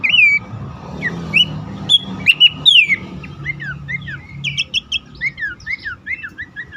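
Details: Abbott's babbler calls for luring silent or stressed caged birds. Loud piercing whistles come at intervals, then a steady series of softer downslurred chirps. Faint background rumble.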